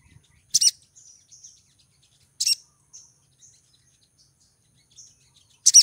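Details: ['Sparse, loud high chips from a breeding female crimson sunbird luring a male, three calls spaced about two seconds apart with soft faint twittering in the gaps.']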